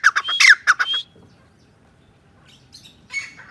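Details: Grey francolin giving a loud burst of harsh, squawky notes in quick succession for about a second, followed by a near-silent pause and then a fainter, rougher phrase near the end.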